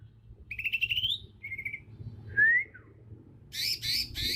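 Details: Young wild Bornean green magpie from Kalimantan with its natural, unlearned voice; a rising buzzy trill, a short buzz, a rising whistle, then harsh high rasping notes.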